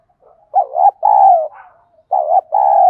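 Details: Lure call of a spotted dove, 'giọng đồng' voice said to spur rivals to fight when used with a decoy; two mellow phrases, each a short wavering coo and a longer steady hoot, in a quiet setting.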